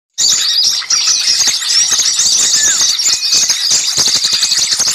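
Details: Noisy chorus of small birds used as a lure for trapping birds: dense, overlapping high chirps and twitters with occasional thin whistled slurs, continuous throughout after a brief silent start.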